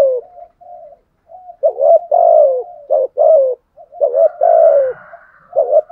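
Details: Decoy spotted dove cooing to stir up rival doves: soft low murmurs, then loud phrases of short rising notes and drawn-out descending coos, ending with another brief burst.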